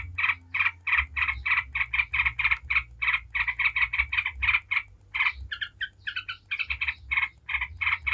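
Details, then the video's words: Yellow-vented bulbul chattering ngebren style as a lure for other bulbuls: regular buzzy notes, then a few clearer, higher, varied bubbly phrases before the chatter resumes. "Trucuk ngebren bikin ribut trucuk manapun dijamin langsung nyaut ribut"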